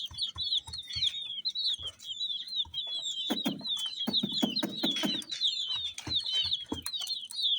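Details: A group of coloured chicks chirping hard: a fast, dense run of high, sliding peeps, with clusters of knocking and tapping sounds in the middle.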